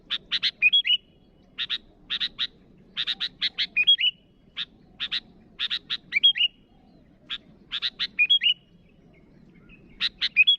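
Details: Persistent rival calling from a sooty-headed bulbul: clusters of harsh chips each capped by a short sweet whistled phrase, repeated steadily over ten seconds with a faint low hum.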